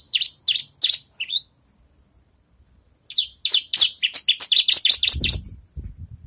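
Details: Javan bush lark practising songs after its moult: three or four high chirps, a silent gap, then a long rapid string of sharp notes over a low rumble at the end.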